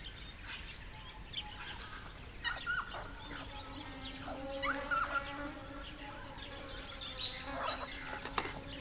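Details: Noisy friarbirds (ssp. monachus), likely a pair, at water in the Capertee Valley, NSW, in spring, mostly mid-September 2019 on a warm sunny day. They give loud, harsh, nasal cackling calls in bursts, some drawn-out and honking, with faint insects behind.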